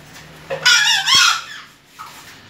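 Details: A young junglefowl's first attempt at crowing: a single loud, rough, strained crow lasting about a second, wavering and cracking midway, then a faint short note before quiet.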